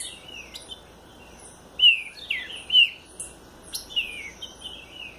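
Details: Southern green-winged saltator song of rich, clear whistled notes that slide downward, delivered in short phrases about a second apart, with soft chirping and a quiet hum underneath.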